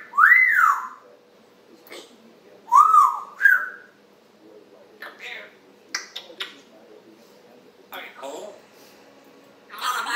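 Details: African grey parrot, a household pet, giving morning chatter on July 26, 2021: two bright arched whistles, a short tonal note, then clicks, pops and mumbled babble.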